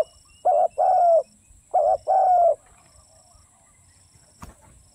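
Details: Two paired coos from a spotted dove, a brief note then a drawn-out descending one, each pair given twice, followed by quiet and a single sharp click near the end.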